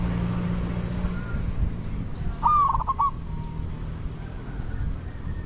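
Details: One quick, bubbling coo from a spotted dove acting as a decoy for wild doves. It rises out of a steady low hum of background noise.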